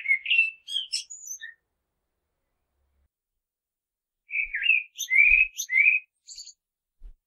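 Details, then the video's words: Common blackbird singing: mellow, fluted warbling phrases followed by thin, high squeaky notes, two phrases separated by a pause of about three seconds, with a few faint low knocks. "common blackbird sounds"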